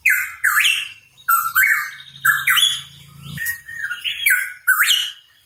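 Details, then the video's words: Hooded pitohui, the cucak rawa papua, in lively song: whistled notes that climb sharply at their ends, delivered in quick phrases roughly every second, with a brief low buzzing hum midway. "Cucak Rawa Papua Gacor | Pitohui Bird Chirping"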